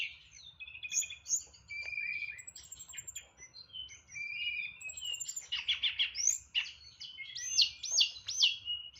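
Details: White-rumped shama, a caged songbird from Boyolali, Indonesia, delivering its varied 'nyeklek'-style song full of imitated fill-ins. Dense, fast jumble of high chirps, twitters and short whistles that grows louder and busier toward the end.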